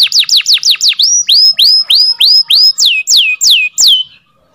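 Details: Song of a canary used as tutor song for birds that have stopped singing. Quick falling whistles give way to slower notes that rise and then level off, and the phrase ends in silence.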